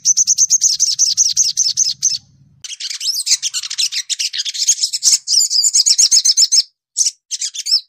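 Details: Brown-throated sunbird, known in Indonesia as sogok ontong or sogon, singing a busy, clear song: a rapid stream of high, squeaky, slurred notes with almost no pauses, briefly broken by short gaps, over a soft low rumble at the start.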